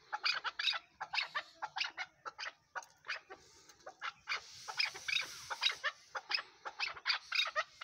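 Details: Chukar partridge calls: rapid, rough chattering notes repeated about twice a second in uneven bursts, with a brief pause near three seconds before the series resumes.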